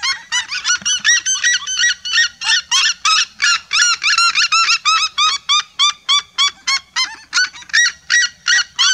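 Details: Vibrant group song of a flock of red-legged seriemas: dense run of loud, ringing yelps with rising ends, about three notes per second, several birds overlapping.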